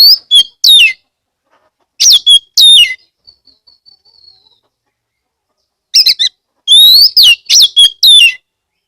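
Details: Oriental magpie-robin (kacer) song used as a lure to get other magpie-robins singing, from Kebumen, Central Java, Indonesia: loud bursts of rich whistled, rising and falling phrases separated by pauses of several seconds.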